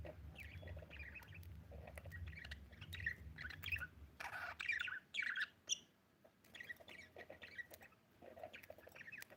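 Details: Budgerigar chirping in irregular bursts of squeaky, warbling notes, with louder harsh squawks near the middle and brief pauses after them; a low background hum fades out partway through.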